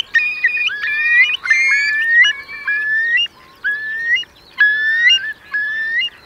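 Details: Roosting flock of Eurasian curlews, around 3,000 birds, in wet meadows at Marquenterre, Bay of Somme, France, at high tide in October 2021; overlapping rising whistles in bursts of about a second, separated by short quiet gaps.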